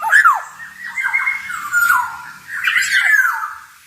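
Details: Black-naped oriole male in full song, recorded as training audio for songbirds: a sharp whistled note, then grating nasal slurs and a final rasping phrase with a clear whistle, over faint low hum.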